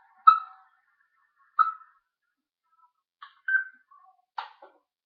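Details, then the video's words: Talking parrot filmed on 1 June 2013: a few short, clear tonal utterances at mid pitch, two strong ones early, then scattered softer broken fragments and a final rough burst, with near-silent surroundings between sounds. "Rocky The Talking Parrot"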